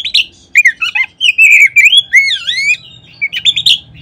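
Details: Lure song of an Oriental magpie-robin (kacer), meant to prompt other kacer to start singing: rapid, rich whistles sweeping up and down in a continuous varied run, with some sharp higher notes and a faint low background hum.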